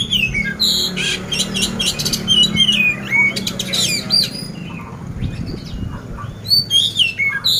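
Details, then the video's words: Competition-ready oriental magpie-robin in Magelang, Central Java, singing a rough 'isian kasar' fill: rapid harsh rattling bursts mixed with sharp rising whistles and chips, about four notes a second, loud and varied throughout. "poci gacor isian kasar"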